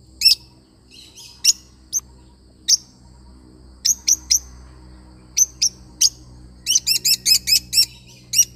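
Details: Lovebird parrot chirping with shrill, high notes, first spaced singly and in small groups, then speeding into a rapid run of about eight chirps near the end.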